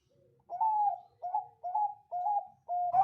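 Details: Zebra dove of the Bangkok type with a clear, crystal voice, cooing steadily: five soft, level coos in a row, each about half a second long, in a quiet indoor setting.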